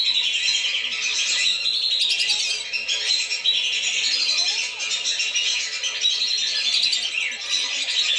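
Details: Continuous chattering of many lesser whistling ducks, played to lure them down; shrill whistles overlap thickly, with occasional sharper upward-sweeping notes standing out.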